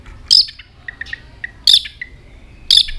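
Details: White-rumped shama switching among many voices as it flicks its tail nonstop; three loud, harsh high bursts spaced about a second apart, with short clear whistled dots and a thin level whistle between them.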